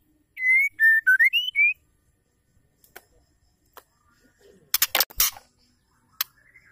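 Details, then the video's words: Captive-style female white-rumped shama call meant to stir male birds to sing: one rapid series of pure whistled notes swinging up and down, followed by quiet pauses and a cluster of loud clicking knocks. "PANCINGAN PENGGACOR MURAI AMPUH TOKCER"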